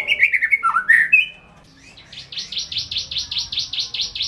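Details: A white-rumped shama sings a short warbled phrase of sliding whistles, pauses, then gives a fast string of about a dozen buzzy, high repeated notes.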